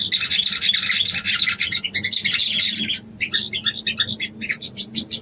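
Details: Female sooty-headed bulbul calling to a male, used as a lure to stir breeding arousal: dense, rapid high chattering notes in a continuous burst, then a broken run of short separate chirps after a brief pause.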